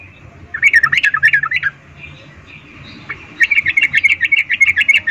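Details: Loud female yellow-vented bulbul calling males with an arousal voice in 'ngecuplik' style: two long bouts of rapid, warbling, rising-and-falling chattering notes over a noisy background.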